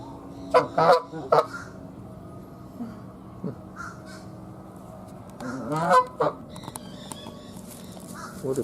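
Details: Canada geese at a seabird rescue sanctuary in Sarasota give loud, nasal, trumpet-like honks, a quick cluster of three at the start and another burst of two or three later, over a low steady hum.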